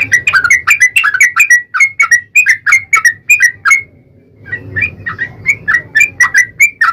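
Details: Yellow-vented bulbul giving a long, rapid song used as a lure to make other bulbuls sing: bubbly chattering phrases of short liquid notes, several per second, with a brief pause midway before resuming.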